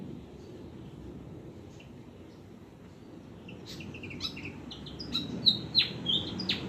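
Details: Oriental magpie-robin, eating insects, gives melodious song: a few faint high notes at first, then a burst of loud, sharp whistled notes in quick succession near the end over a soft background hiss.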